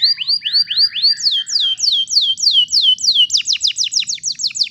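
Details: Canary singing a long rolled tutor song meant to train young canaries: a run of looping high whistled notes, then fast rapid sweeping trills repeated several times a second, rising into sharp, ringing rolls with no other sounds.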